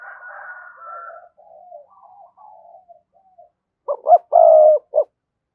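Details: Spotted dove calling to rival wild doves: a run of soft, low rapid coos, then one loud phrase of two quick notes, a long coo and a short final note.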